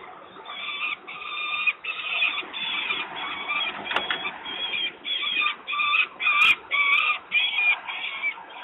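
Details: Hungry young peregrine falcon crying for food as the father delivers prey, Włocławek, Poland, 3 July 2021 at 14:20; a long run of harsh, grating wails repeated about twice a second over steady background hiss, with a sharp click near the end.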